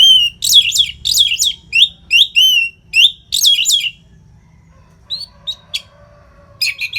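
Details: Orange-headed thrush in loud, unbroken tutor song for fighter birds: repeated strong, buzzy, downslurred high phrases for four seconds, then quieter scattered chips.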